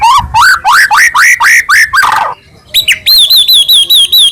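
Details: White-rumped shama singing nonstop with full filler, used to provoke other shamas: loud rising slurred whistles repeated several times, a harsh burst, then a steady string of high wavering whistled notes.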